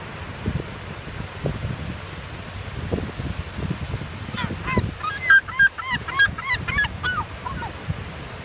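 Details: Gulls at feeding time on a warm autumn day, taking food from a person. Wind buffets and thuds fill the first half, then a run of short, high, quickly repeated yelping calls follows.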